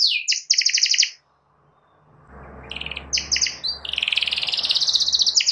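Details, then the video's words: Canary singing to spur a rival into song; short rattling trills, a pause with rising low background hum, then quick buzzy phrases building to a sustained high rattling trill. "KENARI GACOR MEMANCING LAWAN AGAR IKUT GACOR"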